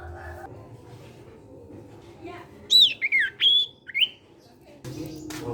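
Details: A sirtu (ashy tailorbird) of the cipow type sings to coax other sirtu birds into song: after quiet background, four quick, sharp whistles sweep down and up, then a short burst of noise.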